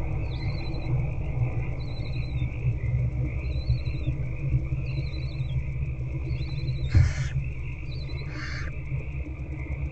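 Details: Young barn owl hatchlings in an owl box being fed by their mother at night, 8 February 2024 near 9:20 pm; thin, high, wavering twittery notes repeat roughly every two seconds, then two raspy hisses, over a constant hum.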